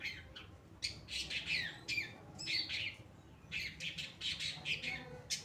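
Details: Long-tailed shrike, Pastol type, in energetic song meant as a training recording for other birds. Harsh, squawking chatter comes in dense bursts of rapid scratchy notes, broken by short pauses, throughout.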